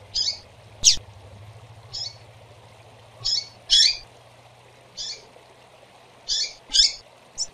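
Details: About eleven high, scratchy chirps from female double-collared seedeaters at uneven intervals, recorded to stimulate birds, over a steady low mechanical hum.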